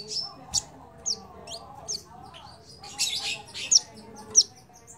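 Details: Crimson sunbird sound used as a lure for other birds, heard as scattered thin high chirps and short upslurred whistles spaced about a second apart, fairly soft, with one louder twittering burst.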